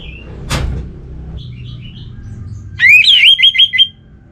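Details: Orange-headed thrush from Singaraja, North Bali, kept as a cage bird and used to spur other birds into song: a sharp knock, then a quick rising whistle followed by a run of short looping whistled notes.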